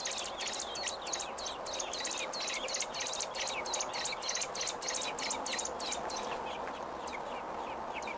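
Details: Robin at its nest on nesting day 28, June 5, 2018: rapid, high, sharp chirps repeated about three times a second, steady over a constant low background hum.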